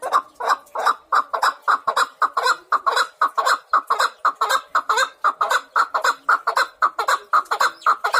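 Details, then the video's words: Chukar partridge uttering a long, lower-pitched clucking series, about two notes per second, throaty and rhythmic, building a continuous chuck-chuck chant across the whole stretch. "Беҳтарин кабк овозшда гап нест"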